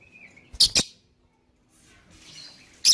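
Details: Lovebird, played to set other birds calling: a faint whistle, two sharp rasping shrieks in quick succession, a quiet gap with soft hiss, then another loud shriek at the end.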